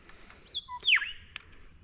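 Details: A Grey Shrike-thrush, near the base of trees in woodland at a travelling stock reserve near Barraba, NSW, gives a short melodic phrase of clear, rich whistles, the loudest sweeping down from high to low, with a few faint clicks around it.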